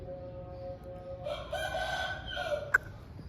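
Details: Aseel chicken after rain: a steady low tone, then one harmonic crow of about a second, with a short sharp click near its end.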